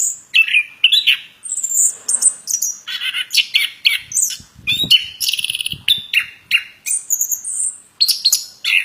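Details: Long varied song of a plontang bird: dense bursts of high twittering, buzzy trills and whistled slurs repeated in quick succession, with faint low knocks in the background.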